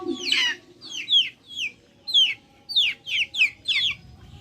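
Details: Backyard chickens giving clear, piercing peeps that swoop downward, spaced irregularly in short bursts with quiet pauses, and a brief low wavering sound at the beginning.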